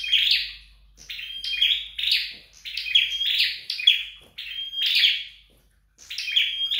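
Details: At home during training, a flowerpecker delivers rapid bursts of sharp chirps and thin whistles in steady succession, then falls silent briefly before resuming.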